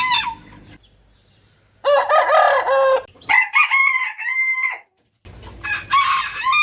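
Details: Roosters of assorted breeds crowing one after another: loud, rasping crows with a drawn-out, level middle note that sags at the end, separated by abrupt silences, with a further crow starting near the close.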